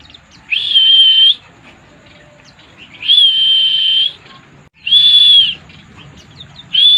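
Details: White-eye singing in the drunk style, locally called pleci mabuk: long, level, pure whistled notes held about a second each and repeated every two seconds or so, with faint high chirps between them and a low background hum.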